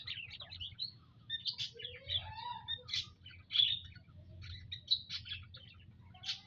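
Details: Aviary munias recorded 19 April 2025: scattered high chirps from several birds, with one lower rising whistled slur near the middle, above a constant low hum.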